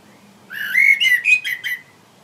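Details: A common blackbird singing up in a tree gives a brief, clear whistled phrase of about five quick notes around mid-pitch, lasting just over a second, against a quiet background.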